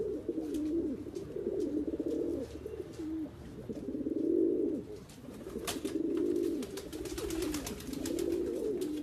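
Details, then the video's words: Persian fancy pigeons cooing in long, throaty, purring phrases that swell and fade several times, with brief gaps, plus sharp clicking and rustling bursts around the middle and near the end. "Pigeon sounds"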